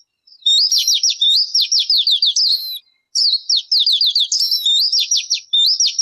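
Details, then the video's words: A bird sings two long, fast trills of repeated high, down-slurred notes. The trills are separated by a brief silence, with no other sounds present. "Suab noog ncwb qua dib tuaj zoo tiag tiag"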